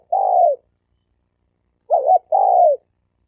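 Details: Challenge cooing between male spotted doves. A long, soft, falling coo is followed after a pause by a quick double-humped note and another long falling coo. The background is clean.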